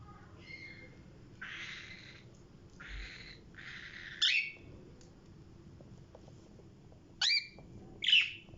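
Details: A pet lutino cockatiel gives harsh, raspy chatter and a few sharp, shrill screeches that drop in pitch.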